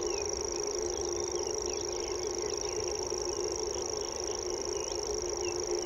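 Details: Common grasshopper warbler delivering a continuous high, insect-like reeling trill with no pause. Faint scattered notes from other birds sit beneath it, over a steady low droning background.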